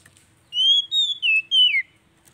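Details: Oriental magpie-robin song used to coax a bird that has stopped singing: one short phrase of four clear whistled notes, long and slurred, the last dropping steeply.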